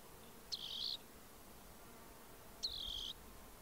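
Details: Rock wren singing two short, buzzy trilled phrases spaced about two seconds apart, high-pitched and even, with a quiet, steady background.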